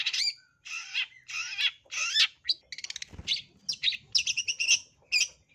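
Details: Long-tailed shrike giving lure song in high breeding condition: scratchy warbled phrases with twisting whistles, a fast rattle, then quick bright high chirps.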